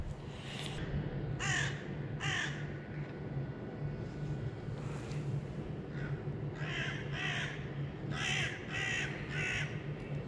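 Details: Several crows at a factory pest-control site, apparently having spotted a falconer's hawk just before it is flown to scare them, give harsh, hoarse caws in short bursts, about ten over ten seconds, over a steady low rumble of wind or distant traffic.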